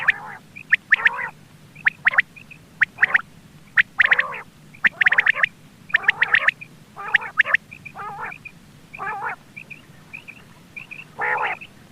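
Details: A quail call, presented as a morning call and linked to quail netting. It gives harsh, nasal, buzzy calls in irregular bursts about once a second, with thin high chips between them.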